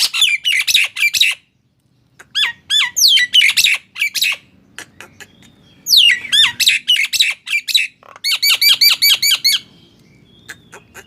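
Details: Song of the Nias hill myna, used as a lure to set silent mynas singing: repeated bursts of shrill whistled and squawking notes, some strongly falling, with brief pauses.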